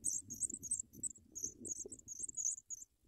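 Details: African pipit nestlings beg with thin, very high chirps in quick bursts, about four a second, as adults feed them at the nest, over a soft low rumble.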